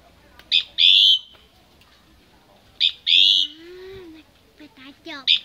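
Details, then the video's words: Common myna at a home during Lunar New Year 2018, repeating a phrase about every two and a half seconds: a brief sharp chip followed by a loud, piercing steady whistle, with a soft lower sliding tone in between. "Tiếng hót chim Cưỡng"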